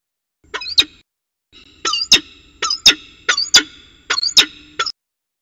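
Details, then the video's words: Northern goshawk mating on the edge of a water-tower nest at Axel, February 2018, giving loud, sharp, squealing harmonic calls in close pairs and runs of about six notes, with clear quiet gaps. "Paring Op Rand"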